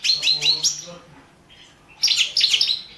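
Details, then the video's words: Goldfinch of subspecies balcanica, a championship competition bird from 2017, giving two short bursts of liquid twittering notes separated by a brief quiet gap. "Pesma štiglića 014/ 2017 Stefan Sapunarov World championship in Goldfinch Song 2017"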